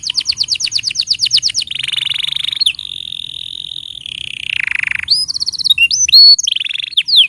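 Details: Canary song used as a tutor recording for young birds and canaries that have stopped singing. A quick run of sharp repeated notes gives way to long sustained buzzy rolls at changing pitches, then scattered high whistled slurs and chirps.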